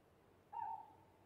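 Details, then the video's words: Short owl hoot at night: one steady, tonal note of about a third of a second, heard against a noisy, hissing background. "Different Owl Hooting Sounds"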